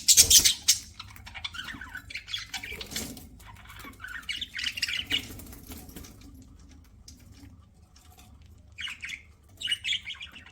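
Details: Pet budgerigar at its food, opening with a loud harsh squawk, then softer scratchy chatter, a pause, and a few clear warbled chirps at the end.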